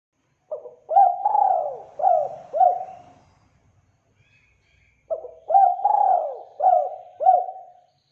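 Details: Spotted dove lure call repeated twice with a pause between. Each phrase is a series of soft hooting coos: a short start, a long sliding note, then two clipped rounded notes. Faint rustling sounds in the gap.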